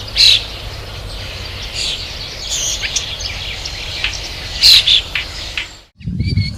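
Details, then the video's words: Marsh warbler song, a varied mimicking songster: scattered high chirps and short trills, with sharp bright notes near the start and again around four and a half seconds, fading to a brief gap before a different low noise. "VARIASI KICAU MARSH WARBLER"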